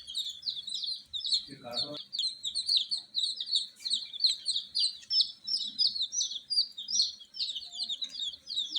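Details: Loud night-time peeping from newborn Fracas chicks, a continuous stream of shrill, short overlapping chirps from many birds, briefly interrupted by a dull thump near the start.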